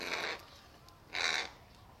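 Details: Crow during a snack theft, one fast crow grabbing all the treats meant for another that follows it waiting for scraps; two rough, hoarse caws about a second apart, the second louder.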